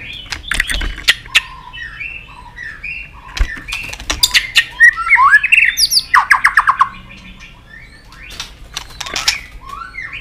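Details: Excited White-rumped shama, stimulated into fiery singing and flicking its tail on its perch: a varied, loud mix of sharp clicks, short slurred whistles and fast trilled phrases, with bursts of dry ticking between them.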